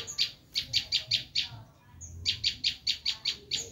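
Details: Bar-winged prinia giving its screaming call, a recording used to lure wild prinias: harsh, raspy high notes fired rapidly in two bursts of about six, split by a short pause with one thin high whistle.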